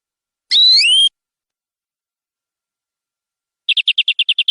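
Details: Canary singing in a long-running gacor, nembak-style song: one bright whistled note sweeping upward with overtones, then a pause and a quick run of about nine crisp, evenly spaced trill notes. No other sounds.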